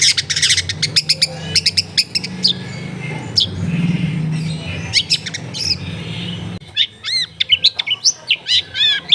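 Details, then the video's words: Long-tailed shrike song played to prompt a silent bird, taped at a house in a crowded area: rapid scratchy chatter and sharp notes over rumbling background noise, then a clear series of looping, upward-curving whistled chirps. "MASTERAN ANTI GAGAL SUARA JERNIH CENDET MACET BIAR CEPAT BUNYI"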